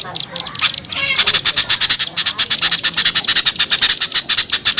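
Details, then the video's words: Lure calls of small birds: a few soft buzzy notes at first, then a steady run of fast, sharp, high chattering pulses repeated several times per second. "SUARA PIKAT AMPUH UNTUK BURUNG KECIL SUSAH TURUN"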